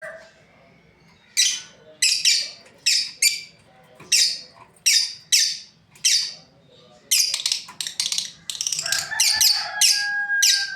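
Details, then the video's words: Breeding pair of lovebirds kept as pets: loud, harsh chirps in bursts, first spaced about every half second, then a faster run of rapid chirps, with a faint steady tone in the background. "Beautiful lovebirds chirping sounds | Amazing breeding pair"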